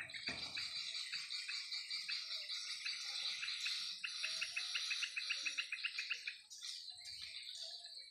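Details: Afternoon swiftlets flying above their swiftlet house: bright, rapid chirping with a clear string of quick staccato notes in the middle, a short knock at the start and a brief spoken word at the end.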